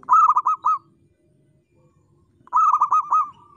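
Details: Local zebra dove singing actively in the crystal-voiced style: two bursts of about five quick, arched, ringing coos, separated by a two-second pause, over a faint low rumble.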